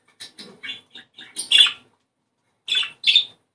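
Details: To stimulate breeding, an Australian budgerigar gives a row of small, quick ticking chirps that build into louder, harsher squawks, then after a pause two strong, scratchy chirps.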